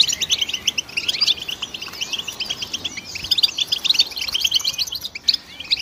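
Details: High, fast goldfinch twittering, chirps and tinkling notes tumbling together continuously, with a brief gap near the end.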